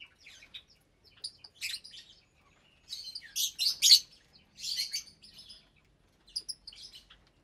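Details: Mixed colony of about 25 caged lovebirds eating in January 2023; scattered high chirps and squeaks with two louder harsh chattering bursts in the middle.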